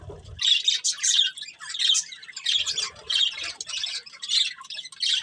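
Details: A breeding pair of budgies chattering in quick scratchy bursts, about one or two phrases per second, buzzy and warbled, with a short low knock at the start.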